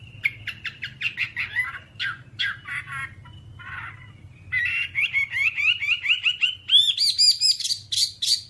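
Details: Whambie from a long tutor recording for caged birds, giving rough chattering notes, a short lull, then an accelerating series of ringing whistled notes climbing higher toward the end.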